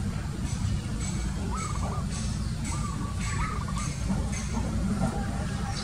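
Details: Zebra dove with two short runs of rapid, soft trilled cooing, partly drowned by a heavy low rumble and faint clicks.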